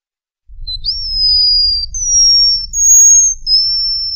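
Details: Canary tutor song for young birds: a string of four long, high, pure whistles, each slightly slurred at the start, with a quiet low rumble underneath.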